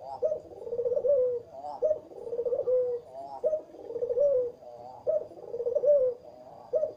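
A Barbary dove gives low, rolling courtship coos: soft, throaty phrases that rise then fall, repeated about every one and a half seconds with short pauses.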